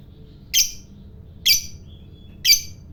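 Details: Fighter-type lovebird, kept for its long, provoking chatter: three loud, harsh, shrill squawks about a second apart, with a thin whistled tone between the second and third.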